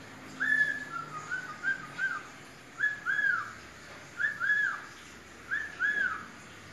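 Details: Pet parrot performing the Brazilian children's song "Atirei o pau no gato": a run of quick whistled notes, then paired arched whistles repeated about every second and a half, with faint background hum.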